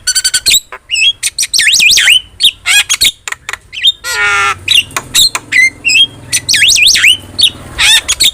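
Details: Javan myna in full song for a tutor recording: fast jumble of clicks, twisting whistled phrases and a harsh grating note midway, with a faint low hum in the background.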